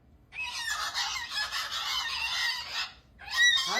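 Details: Cockatoo that seems upset, giving a long harsh screech with dense broadband noise for over two seconds, then a brief gap and a rising raspy call; a woman speaks to the bird and music plays faintly.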